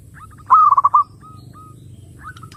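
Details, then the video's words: Zebra dove song used as a lure to draw other doves: one loud burst of rapid, mellow cooing notes, followed by softer, drawn-out coos fading over a quiet background. "SUARA BURUNG PERKUTUT _JERNIH_💯AMPUH_SEKALI PUTAR SEMUA PERKUTUT LANGSUNG NYAMBER"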